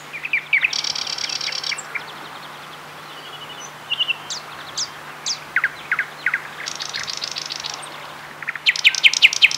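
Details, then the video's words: Thrush nightingale singing at Getterön, Varberg, Halland, Sweden, in May 2007: loud varied phrases of dry rattling bursts, sharp piping notes and rapid repeated clicks, with brief pauses between phrases, over a faint steady hum. "Thrush Nightingale Serenade"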